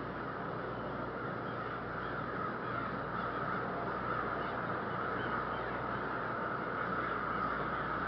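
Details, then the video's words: Blackbirds' morning calls at 6 AM on 17 February 2014 in Minneapolis, Minnesota, heard as a snow storm warning: a large flock keeps up a dense, unbroken chatter of harsh, overlapping calls, a steady roar with no pauses. "Black Bird Morning Call"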